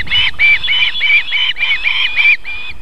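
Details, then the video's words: Osprey mother at her nest near a river and fish farm in Võrumaa, Estonia, feeding chicks: rapid string of bright, slightly downslurred whistled notes, about three per second, steady throughout. "Miina feeds her "babies" (kalakotkas | Marko + Miina)"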